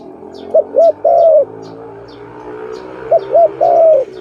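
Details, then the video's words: Zebra dove (Malay dove) near a bird trap: two separate phrases, each two quick short notes then one long sustained coo, divided by a quiet gap filled with low steady background hum. "Lovely dove- Video lovely Malay dove, Sound of good dove"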